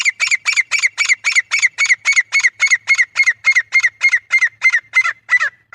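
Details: A male grey francolin's hunting call: an unbroken, rapid series of loud, harsh, ringing notes, evenly spaced at roughly four per second, with the final notes trailing off. No other sounds can be heard.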